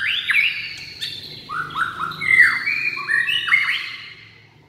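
White-rumped shama singing rich, varied whistled phrases that swoop and slide between high and mid pitches, with fast notes packed into a few seconds.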